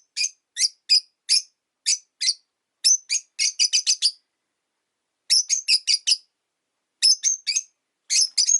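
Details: Rosy-faced lovebirds, five pets in a cage at a window, repeating piercing high chirps roughly every half second, speeding into quick clusters, with a pause before further rapid bursts.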